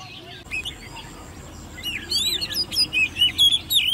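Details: Ten-month-old hand-reared caged Oriental magpie-robin in competition singing: a quiet start with a faint steady high tone. The second half breaks into rapid, loud, varied whistles and twittering slurred phrases.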